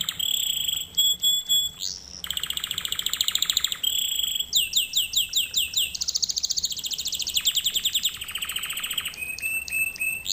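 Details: Canary song used as a training lesson for other canaries to learn from: varied high whistled phrases, rapid rattling trills and repeated chirping notes in quick succession, with fast rolls and clear tonal sweeps.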